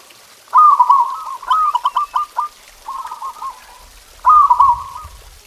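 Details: Zebra dove master song for getting kept doves to sing: a loud burst of rapid bubbling coos runs into clipped repeated notes, a softer phrase follows, then another strong rolling coo with faint low rumble.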